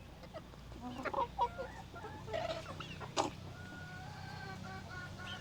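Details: Curious chickens in a coop near a camera utter soft clucks and a few longer tonal notes, fairly faint over a steady low mechanical hum.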